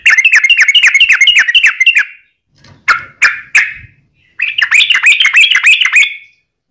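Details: Sooty-headed bulbul lure song meant to make other bulbuls answer: a fast chattering run of chirps, a few harsher single notes after a gap, then another dense rapid burst rising slightly at the end.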